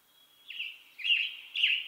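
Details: Western tanager song: three rough, burry phrases starting after a brief pause, each a quick slurred note a little under half a second long, clear against a quiet background.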